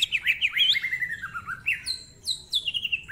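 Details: Actively singing greater green leafbird in a rapid ngentrok-style phrase: tumbling twisted whistles slide downward, then clear notes drop from high pitch in a repeated descending pattern.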